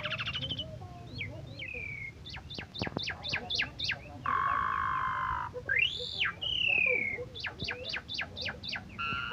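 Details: Asian pied starling that once won first place in a 17 August singing contest, in full melodious song: sharp upward whistles and rapid descending strokes, a sustained buzzy note, then an arched whistle and another run of quick chips, over low background rumble.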